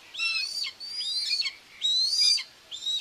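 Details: Nest-camera sound from Tiszalök, Hungary, June 2, 2024, where a common buzzard mother is feeding her two chicks. Long, piercing whistles run level and high, then slur down. Three of them follow in close succession.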